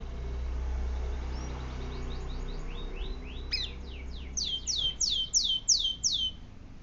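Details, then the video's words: Canary singing: a series of high, downward-sweeping notes that grow louder and faster into a bright, ringing trill near the end, over a steady low hum. "Kenari manapun pasti bunyi"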